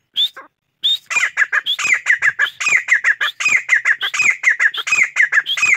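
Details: Chachalaca in a loud, rapid, continuous chorus of rising whistles and harsh chattering squawks, nearly unbroken after an opening whistle.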